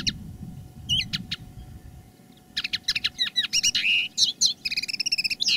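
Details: Common linnet kept as a decoy bird, singing live: scattered chirps over low rumbling noise, then after a pause a lively burst of twittering, buzzy notes and quick repeated trills.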